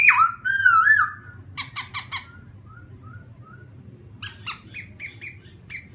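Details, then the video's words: A laughingthrush song aimed at provoking a rival bird opens with a bright wavering whistle. Clipped staccato notes and soft short whistles follow, then a spaced run of sharp chips. "khướu kích bổi"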